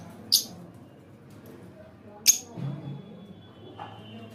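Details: Pet lovebird letting out two brief, piercing chirps two seconds apart over faint household background noise.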